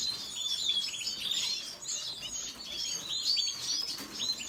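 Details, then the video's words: A red siskin twitters on and on, bright chirps and short slurred notes strung together with hardly a break. "سیسکنی سور سسكن فنزويلي احمر red siskin"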